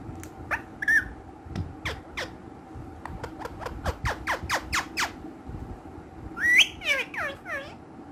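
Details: Playful pet green ringneck parrots give a steady run of short sharp squawks, then a louder burst of rising and falling chatter, indoors.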